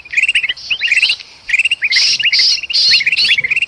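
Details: Agitated bulbuls from Sumatra forest, a lure sound: strings of rapid rising chirps broken by coarse squawks, one short lull before the busy calling picks up again.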